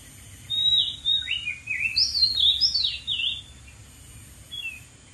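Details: Wild Oriental magpie-robin singing from atop a dead tree: a varied run of whistled, slurred phrases swooping up and down, with rising and falling notes over about three seconds, then a soft trailing note; faint steady insect hum behind.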